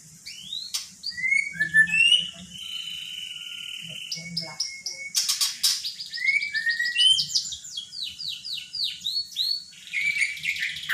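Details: Magpie-robin singing in a recording presented as unedited and as mimicking the words "Pak Jokowi": a varied run of clear whistled slurs, long steady tones and fast buzzy rattles, with a faint low murmur underneath.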